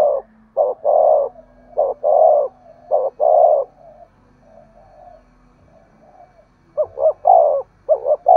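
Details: Spotted dove giving the urging 'thúc gù' coo, used to stir up wild doves. Low mellow coos come in phrases: a quick doubled note, then a longer falling one. A quiet pause in mid-clip, then more phrases close the recording.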